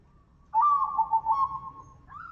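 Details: Zebra dove (local perkutut) singing a big 'kung' phrase, a lure for training birds: one long, wavering whistled coo with a slight pulsing, then a brief rising note after a pause.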